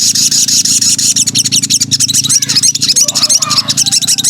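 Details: Sooty-headed bulbul female in breeding condition calling the male: a loud, busy stream of rapid high chirps and chattering notes, densely repeated and tumbling over one another, with steady low hum beneath.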